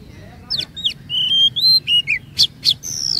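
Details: Oriental magpie-robin singing as a lure for other magpie-robins: quick sharp notes, then clear sustained whistles at steady pitch, a descending slur, and high sweeping notes, over low background rumble.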